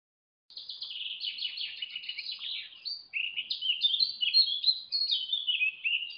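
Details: Black stork nest in Lodz, Poland, filmed by a live nest camera at 8:52 am on 12 June 2018 as a parent returns and feeds the chicks: a dense, unbroken run of squeaky, high chirps that rise and fall, grow louder midway and carry no other sounds.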